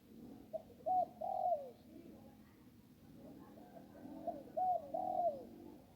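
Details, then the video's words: Zebra dove by the Ping river singing in the one-kuk style: two short clipped notes then a drawn-out, rolling, falling coo, the phrase given twice about four seconds apart over a quiet background. "นกคูอ่างเจ้าเสน่ห์ริมปิง ได้นกโล่ง 1กุกขันเพราะๆ"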